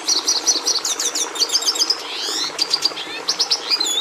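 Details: High twittering song of a Red siskin (Carduelis cucullata), with quick chirp series, a drawn-out wheezy rising phrase near the middle, then more chips and trills.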